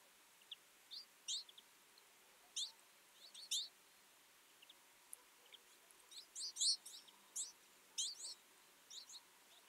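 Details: Feeding winter flock of twites with scattered thin chirps early on, building to a busier cluster of overlapping high twitters toward the end.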